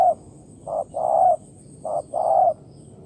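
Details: Wild spotted dove, cooing in response to a decoy during trapping in Vietnam, jumps out from the grass; deep hollow coos in a phrase of short and drawn-out notes, two phrases in quick succession, with a faint steady insect hiss above.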